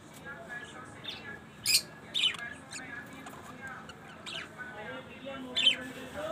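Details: Pet budgerigars in Shahjahanpur give short, harsh squawks and high chirps over a steady background of chattering.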